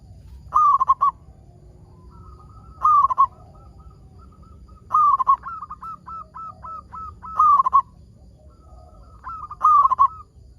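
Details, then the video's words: Zebra dove of local stock, singing to prompt other doves of its kind: five tremulous, rolling coo bursts spaced about two seconds apart, separated by faint, hooked little coos over a low hum. "PERKUTUT LOKAL GACOR SUARA PALING AMPUH UNTUK PANCINGAN BURUNG PERKUTUT AGAR BUNYI"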